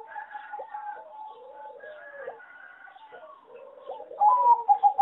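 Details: Bred singing zebra dove for contests, from a farm, considered poor in melody; a chorus of low, soft coos from many doves, then a loud closing burst of rapid staccato cooing notes.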